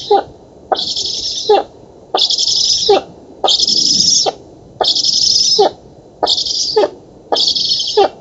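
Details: Black stork chicks begging as food arrives at their oak nest in Poland, August 2017: six long, rasping hisses in eight seconds, each framed by knocking clicks, with short quiet gaps between.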